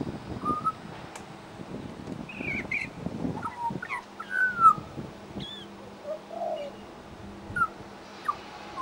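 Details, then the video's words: Australian Pied Butcherbird in suburban Brisbane mimicking local sounds while singing: scattered whistled notes and slurred phrases of varied pitch, with low rumbling background noise. "AMAZING Pied Butcherbird mimicry"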